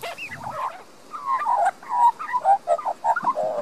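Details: Australian magpie, a young resident bird in a Queensland garden, Australia, captured with a Panasonic Lumix DMC LX7: mellow gurgling warble of short looping notes after a brief pause, growing louder toward the end.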